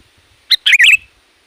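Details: Sooty-headed bulbul giving a loud, varied call meant to lure wild bulbuls: a sharp note followed by a quick bubbly, warbled phrase of rising and falling chirps, heard once against a quiet background.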